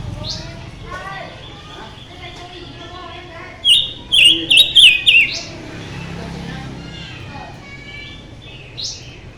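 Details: Mutant silver-eared mesia singing strongly: one rapid phrase of five short, ringing, warbled whistles packed into about a second and a half, set among quieter chirps and low background noise.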